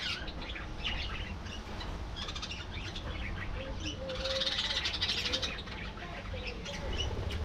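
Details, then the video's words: A colony of budgerigars gossips in busy, overlapping high chatter that swells midway, mixed with a few lower whistled notes and a steady background hum. "Budgie Life: Singing, Gossiping"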